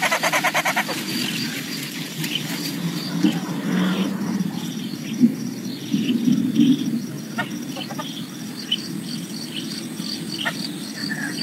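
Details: A Philippine coucal (kokok, sabukot) in breeding season gives low, hollow hooting notes in short bursts, mixed with thin chirps from other birds and faint rustling background noise.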